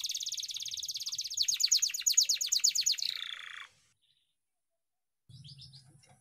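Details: Canary in long rolling song for training: a fast high trill of repeated notes that grows louder and slightly slower, ending in a softer buzzy phrase, silence, then a few faint notes over a low hum.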